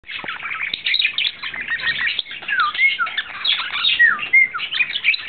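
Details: Male budgerigar in love, courting, recorded April 2009: dense, continuous chattering warble of scratchy chirps mixed with clear whistled slurs and short rising and falling notes, with no other sounds.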